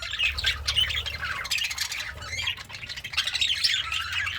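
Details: Happy pet budgie chirping and singing while eating greens: a dense, scratchy warble of rapid chirps and squawky notes that runs without pause for the whole stretch, with only a faint low rumble underneath.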